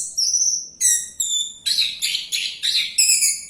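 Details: Song of an orange-headed thrush still singing as it dives, beginning with a long falling whistle, followed by ringing pure notes and then a series of dense, scratchy, chirping bursts repeated roughly every third of a second.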